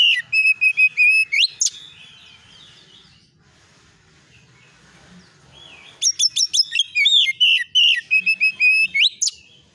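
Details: Oriental magpie-robin song used as a lure to provoke replies: rapid bursts of varied whistled notes and sharp upslurred chirps, a quiet gap of about four seconds, then another dense burst of whistles.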